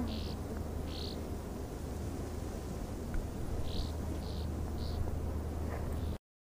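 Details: Southern rough-winged swallow (Stelgidopteryx ruficollis) in Costa Rica, calling five short, rough, buzzy notes spaced irregularly over a steady low rumble.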